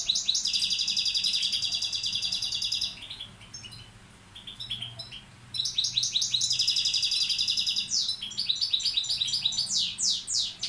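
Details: Balkan European goldfinch serving as a tutor bird sings long buzzy trills and tinkling twitters, falls quiet for a few seconds, then resumes with trills and descending slurred notes.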